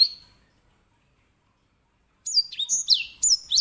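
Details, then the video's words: After a single high whistle and a long silence, the grey singing finch launches into loud, bright slurred whistles, some sweeping sharply downward, in a lively phrase. "EDEL SANGER SI BURUNG BERSUARA LANTANG"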